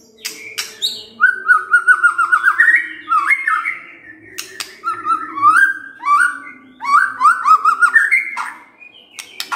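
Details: White-rumped shama in captivity delivering repeated rich whistled phrases, stepped rising trills and slurred notes in bursts a couple of seconds long, separated by sharp clicks, with a low background hum.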